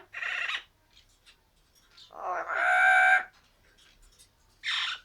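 An Amazon parrot gives three loud, harsh, squawking calls over five seconds. The middle one is longest and slides from a low rasp into a shrill screech.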